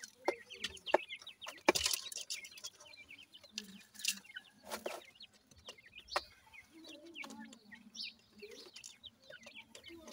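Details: Grey francolin chicks feeding: many short high chirps, rising and falling, overlap through the clip, with sharp pecking clicks and several loud broadband bursts.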